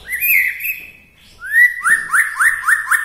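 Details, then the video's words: White-rumped shama from Bahorok, Medan, singing a song said to rouse other shamas: a sustained whistle, a brief pause, then a fast series of rising slurred notes, about four per second, clear and loud. "suwara murai batu Bahorok ini mengangkat emosi murai batu lain"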